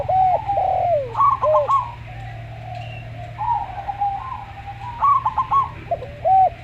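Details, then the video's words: Zebra dove, local type, in a slow song style with a Javan derkuku. Bursts of clipped notes frame long, even, level coos. A low steady drone runs underneath. "Perkutut Lokal Suara Slow"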